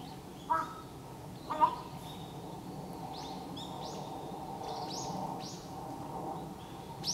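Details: Large-billed crow giving an unusual call: two short mid-pitched notes about a second apart, followed by a run of faint high rising chirps, against constant outdoor background noise.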